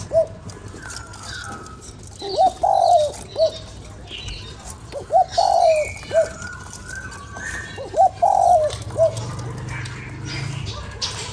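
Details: Spotted dove calling to rouse a decoy bird: three well-spaced coo phrases, each a quick rising hoot, a longer falling slurred note and a short end note. Faint higher chirps and low rumble sit behind them.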